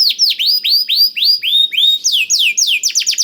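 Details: Blackthroat-tutored canary song used to coax canaries into singing: clear looping downslurred notes about four per second, moving to higher sharper repeated syllables at the end.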